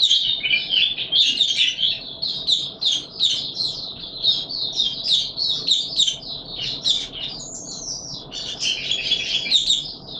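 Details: High, fast twittering song of a white-eye recorded in warm humid weather, an unbroken jumble of sharp chirps and short trills with one brief whistled slur near the middle.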